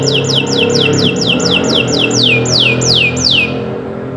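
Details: Canary singing for training other birds: a steady series of loud descending whistled sweeps, about three per second, growing longer and slower toward the end, over a low humming tonal background.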